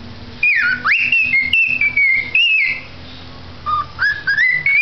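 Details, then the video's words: Pet cockatiel singing: clear whistled phrases that swoop down and back up, then hold level tones, with a short pause before a rising stepped sequence of whistles. "calopsita kiko cantando"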